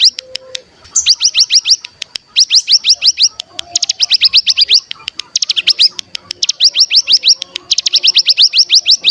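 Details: Cigun, or mountain tailorbird, singing as a lure: repeated phrases of rapid, rising high whistles, each phrase of six to ten notes, separated by short pauses, with faint lower tones in the background.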